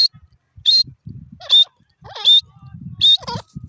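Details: Calls of an Irani teetar francolin: piercing high whistled squeaks alternate with rough, falling harmonic notes, five bursts in under four seconds, over low rumbling background noise.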